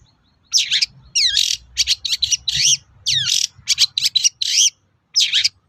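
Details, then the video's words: Spirited long-tailed shrike song used to provoke replies from other shrikes: loud, grating, buzzy phrases with down-swept slurs, given in irregular bursts after a short quiet start. "SUARA BURUNG PENTET GACOR AMPUH UNTUK PANCINGAN CENDET LAIN AGAR NYAUT"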